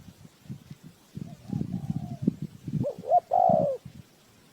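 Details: Spotted dove used to lure birds into a trap, a faint coo amid low clattering noise, then a clear loud double hoot and long falling coo near the end.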